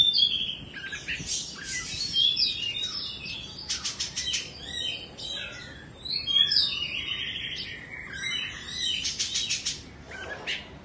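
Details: Indonesian-origin Oriental magpie-robin kept in a cage, a bird of two moults, pouring out a long, lively song of mixed whistles, rapid chattering trills and scratchy notes in uneven bursts, over soft steady background hiss.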